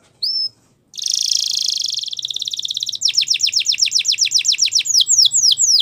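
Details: Gloster canary song: one short whistle, a pause, then a dense buzzy roll, a run of rapid repeated falling notes and slower looping whistles, over a faint low hum.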